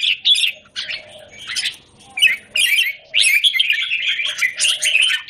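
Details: Red-whiskered bulbul in a square cage, recorded 17 January 2019: choppy chirped phrases give way to a long, rolling stream of warbled, slurred whistles, with soft lower tones behind.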